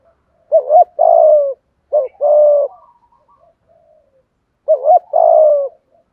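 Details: Spotted dove singing a full 'giọng thổ' style song with urging 'thúc gù' cooing. Three phrases, each a quick doubled coo and then a drawn-out, gently descending coo, with faint soft notes between them.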